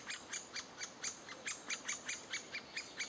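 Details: Great spotted woodpecker adults feeding chicks in June 2011; sharp broadband clicky notes repeated in a steady run, a little over two per second, high-pitched.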